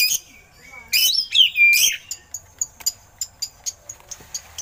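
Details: Oriental magpie-robin song with eagle imitations, for training other birds: a sudden loud burst of tangled whistles and harsh notes, followed by a regular series of soft clicking ticks.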